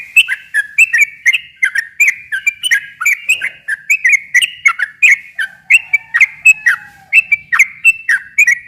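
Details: Sooty-headed bulbul delivering a long, fast, continuous song used to coax a silent bulbul to reply: rapid bubbly notes, each dipping and rising, repeated steadily throughout, with a faint low whistle briefly in the background.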